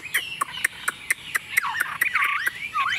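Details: Tame Chinese hwamei placed on a table, heard through a run of sharp regular clicks, then breaking into twisting, warbled whistled phrases in the second half.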